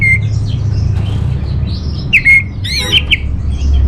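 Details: Orange-headed thrush phrases used to coax and train caged birds: a clear whistle, a quiet pause, then a few sharp whistled notes and a short buzzy trill against a low hum.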